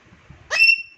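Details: Alexandrine parakeet in a new cage gives a single loud, shrill call. It opens harsh, then holds a steady piercing whistled tone that fades within half a second. Soft low murmuring comes before it.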